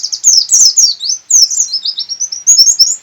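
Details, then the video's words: Local Sukabumi white-eye, buxtoni type, in persistent open-beaked song: continuous high, fast-warbled chattering of sliding notes, ending in a long run of quick, evenly spaced chirps. "Burung pleci buka paruh ngotot"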